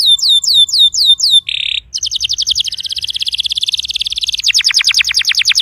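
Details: Canary singing, played so a silent canary starts to sing: repeated falling whistles, a short buzzy burst, then a long fast trill speeding into sharper descending notes.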